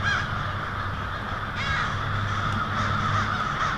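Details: A huge winter roost of American crows settling for the night on a street in Lansing, Michigan, 1 February: countless harsh caws overlap into a continuous raucous din, with a low steady hum underneath.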